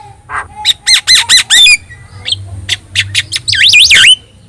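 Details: Javan myna, yellow-eyed and in full voice, recorded as a tutor for other birds: a string of five harsh rhythmic rasps, scattered clicks, then a sweeping, wavering whistled trill.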